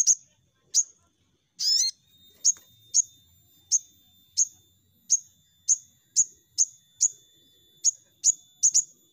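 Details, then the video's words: Ruby-cheeked sunbird lure recording meant to make birds sing: sharp, very high single chirps repeated about every half second to second, with one brief scratchy burst near the start, quiet background. "Pancingan Sogon"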